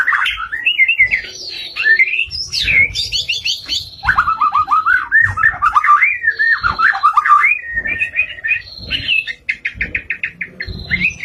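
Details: White-rumped shama singing vigorously and at length: a continuous flow of varied whistled trills, warbles and sharp slurred notes, ending in a rapid series of short clipped notes; faint low thumps in the background.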